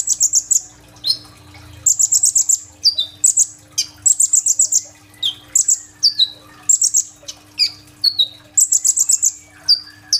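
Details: Sunbird known locally as kolibri ninja in full song, recorded on a mobile phone for luring other birds; high sharp notes alternate with fast buzzy trilled bursts every second or two, sustained throughout, with a faint background hum.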